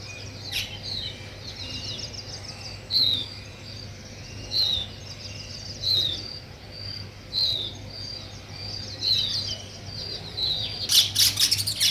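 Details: Nest-building weaver birds: a short high downslurred chirp repeated about every one and a half seconds, with fainter chatter behind and a sudden loud burst of rapid chirps near the end, over a constant low hum.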